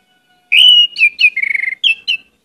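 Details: Orange-headed thrush singing vigorously with many varied notes, used as lure audio: a long steady whistle, two falling slurs, a rapid rattling warble and two closing downslurs, clear and unaccompanied.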